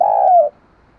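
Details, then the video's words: A single long, low spotted dove coo, steady then easing down in pitch before stopping abruptly, recorded close and clean as training audio for doves. "Tiếng chim cu gáy hay dùng luyện giọng chim cu gáy mỗi ngày"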